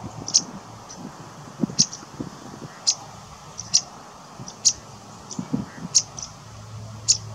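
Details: Cetti's warbler fledgling at RSPB Middleton Lakes on 3 August 2023, giving short sharp high-pitched calls repeated roughly every second, against a low background rumble.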